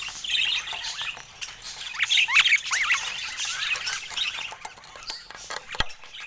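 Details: Pet budgerigars with colour mutations giving scattered, soft chatter: short rising chirps and squeaky notes with quiet gaps, and a sharp click near the end.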